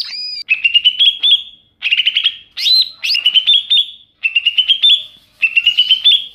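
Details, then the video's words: Greater green leafbird lure sound for attracting wild birds: phrases of a few sharp clicks leading into buzzy, slightly rising trills, repeated about every one and a half seconds. "Suara pikat burung cucak ijo di alam liar"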